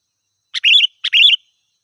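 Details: Lively song of a sooty-headed bulbul meant to attract wild birds: a clipped opening note followed by a rich, bubbly warble, repeated twice in close succession against silence.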